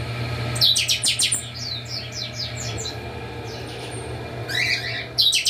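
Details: A group of captive chopi blackbirds at a breeding facility: one loud burst of quick ringing notes, then a softer descending series of chirps, ending with more bright phrases, all over a constant low hum.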